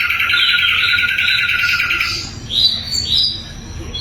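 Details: Sikatan londo flycatcher in a loud, clear training recording for songbirds. A sustained, wavering warble is followed by a pause and then several sharp, rising whistled notes.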